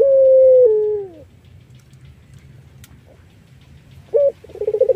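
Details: Iraqi-variety collared dove, said to be melodious and suited as a lure for other doves: a long steady coo that slides down at its end, then a short clipped note and the opening of a rapid pulsed roll.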